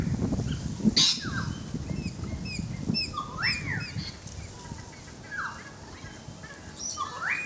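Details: Currawong singing near a balcony: several fluting, arched whistles that rise and then fall, scattered through the clip, over high, quick chirps from other birds and a low background rumble.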